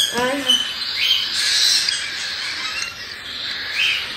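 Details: A brief human voice opens, then month-old cockatiel chicks in Tokachi, Hokkaido carry on their rasping, breathy 'jaa-jaa' begging, a chick-period cry, in a continuous noisy stream.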